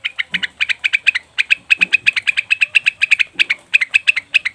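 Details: Cucak wilis or rengganis leafbird lure meant to make birds call at once: an unbroken fast string of bright, clipped chirps at a steady pitch, about five per second.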